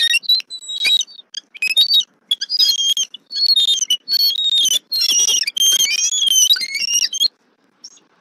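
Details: Loud calls from a female bald eagle when her mate brings a fish to their Southwest Florida nest, 23 November 2024. Shrill, piping whistles and chatters pour out in quick runs, then go quiet near the end.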